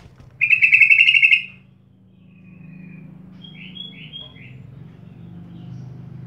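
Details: Lure recording of a sooty-headed bulbul to encourage beginner birds to sing: one loud bubbly warbled phrase, then a few soft, quick descending chirps over a low steady hum.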